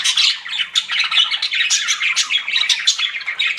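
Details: Pet budgies chirping indoors: a dense, scratchy warble of rapid chirps and squawky notes, high-pitched and nearly continuous with quick fluttering pulses.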